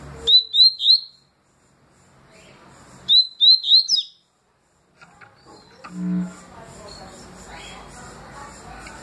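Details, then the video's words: Double-collared seedeater (papa-capim) singing, with its 'tui tui' and 'deputado' song styles named: two bursts of three quick, clear high whistled notes ending in a sharp upward flick, a pause between, then soft background noise and a low thump. "Papa capim tui tui canto e deputado canto"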